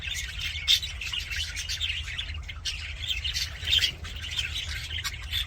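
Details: Happy budgerigars in an aviary keep up a steady, overlapping twitter of high chirps and brief squawks, with two louder sharp notes standing out, over a continuous low rumble.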